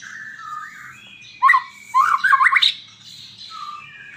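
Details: Varied song of a white-rumped shama: a sharp upward note, then a rapid run of harsh rising trills, with softer whistles lingering before and after.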